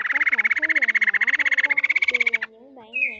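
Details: Laughingthrush pair, male and female, calling the flock, a call used to lure birds into traps. A long run of quick, evenly spaced chattering notes ends abruptly and is followed by a short high whistled note, with wavering lower tones below.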